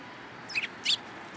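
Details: Sparrows coming onto a hand to be fed at a Tenmangu shrine on 13 April 2023; two short, bright high chirps close together, a steady low background hum beneath.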